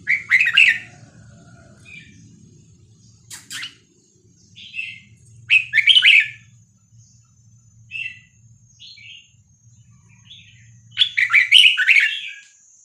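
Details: Red-whiskered bulbul, Vietnamese song style 3-4-5-6-7, played to teach young birds and get birds excited. Loud, lively warbled phrases open and close the passage. Scattered short whistled notes and a sharp click fall between them, with a faint low hum early on.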